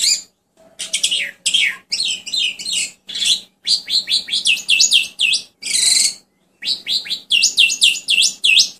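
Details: Asian pied starling singing a fast, continuous run of harsh chattering and squeaky notes, many sharply rising and falling sweeps repeated in quick series, broken by brief pauses and one rasping burst, over a faint low hum.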